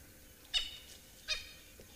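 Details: At sunrise under light cloud at Juma Private Game Reserve on 18 April 2024, a francolin shouting in disgust gives two harsh, grating shrieks about three-quarters of a second apart, loud and raspy over a faint hiss.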